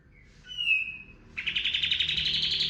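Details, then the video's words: Training lure of the cream-vented bulbul, locally kapas tembak, in 'tembakan' style: a soft chirp, then a bright falling whistle, then a dense buzzy trill of quickly repeated notes. "PANCINGAN BURUNG KAPAS TEMBAK GACOR FULL TEMBAKAN TERBAIK"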